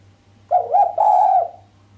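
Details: Sharp cooing of a female island collared dove, lacking the final 'kuk' note and said to rouse the male: one rolling phrase, a short wavering lead-in followed by a sustained, slightly buzzy coo lasting about half a second.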